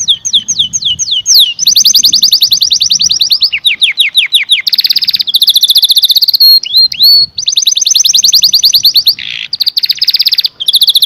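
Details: Canary in continuous song, chaining fast rolling trills, descending slurred whistles and brief buzzy notes into long unbroken phrases, high and bright throughout with only faint low background noise.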